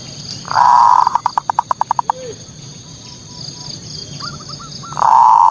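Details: Zebra dove singing from a high perch, played as a lure to provoke local rival doves. A loud cooing note is followed by a fast rolling burst of pulsed notes, a pause with faint soft notes, then another loud coo. A steady high hum runs throughout.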